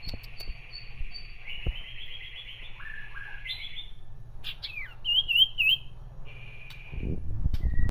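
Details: Common iora goading a rival with rough chattering: a buzzy rattle and varied slurred notes, then quick rising whistled figures, ending in a low rumbling noise.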